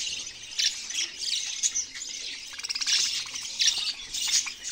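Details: Budgerigars calling with scratchy squawks and quick chirps in uneven bursts, a rapid stuttering run near the middle.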